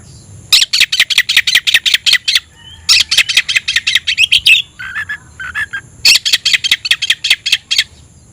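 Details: Oriental magpie-robin seeking a rival, delivering three bursts of rapid, evenly spaced harsh rasping notes. Short lower buzzy phrases sit between the bursts, ending in another rattling series.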